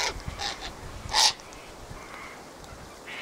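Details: Sulphur-crested cockatoos (Cacatua galerita) at a spot where a squabbling flock gathers: a few harsh, broadband squawks early on, then one loud rasping screech just past one second, followed by quieter background calls.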